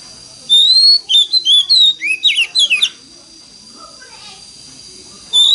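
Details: Oriental magpie-robin with a wild, forest-style voice, used as a lure to prompt other magpie-robins to sing, pours out a rich burst of clear whistles, rising slurs and quick chattering notes, pauses, then begins again with a high whistle.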